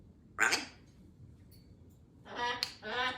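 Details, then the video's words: Female Congo African grey parrot, two years old, kept as a pet in a country home, talking in a small room: a short harsh squawk, then after a pause two longer voiced, speech-like phrases with rich harmonics. "2 year old parrot🦜speaks better than most people🤣"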